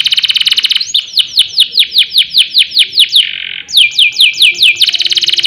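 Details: Singing canary, a recording for tutoring and stirring other canaries: a rapid high trill, then a string of about ten arched, sweeping whistled notes, a short buzzy tone, more swept notes, and a closing fast trill.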